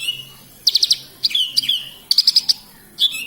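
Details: Energetic 'gacor' song of a Horsfield's bush lark in Kediri, Indonesia: bursts of four or five quick ticking high notes alternate with short slurred whistles, separated by brief pauses.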